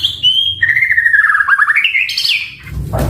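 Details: White-rumped shama singing actively for a lure and training recording: high whistles slide into a long wavering descending phrase, rising in steps to a sharp high note, ending in a burst of noise.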